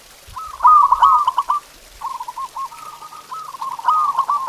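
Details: Zebra dove song used to stimulate pet doves: a quick stuttering trill of soft coos, then a longer, steadier rolling purr of evenly spaced notes.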